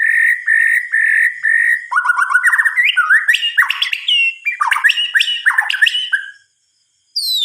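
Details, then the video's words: At night a white-rumped shama sings four level, steady whistled notes. These give way to a fast jumble of varied slurred whistles and buzzy notes that climbs in pitch, followed by a short pause. "Suara Kicauan "MURAI BATU" di Malam Hari"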